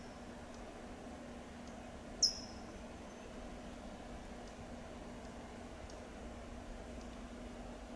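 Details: California towhee (Melozone crissalis) in Del Monte Forest, California, gives one sharp, high, thin tsip call, quickly falling in pitch, over a steady low background hum.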